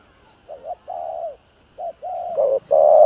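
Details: Spotted dove with a 'hạp bổi' voice, cooing to stimulate other doves: several low, mellow coo notes of varying length in broken phrases, ending in a louder sustained coo, with a faint steady high hiss.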